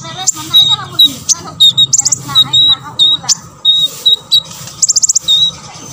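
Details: Olive-backed sunbird song intended to make other sunbirds sing, with repeated high thin whistles about once a second, interspersed with rapid clicking trills, over a low background hum.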